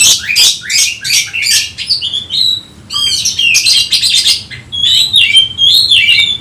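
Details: Oriental magpie-robin, agitated and seeking a rival: loud, rich song of rapid harsh notes, sweeping whistles and buzzy phrases in quick bursts, with low background hum.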